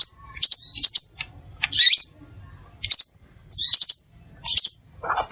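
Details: Crimson sunbird (Aethopyga siparaja), a recording to lure other sunbirds: rapid clusters of piercing high chirps with whistled tails, one rasping buzzy phrase in between, busy and bright.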